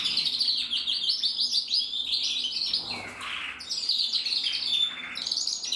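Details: Male red-mosaic agate canary from a German breeder, singing a continuous warbling, chattering song of quick high notes mixed with softer rolls, moderately quiet with a light background hiss.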